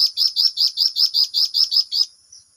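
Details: Flamboyan singing vigorously in the long rolling ngerol style: about ten sharp, high chirps in quick, even succession, roughly five per second, ending abruptly and followed by quiet.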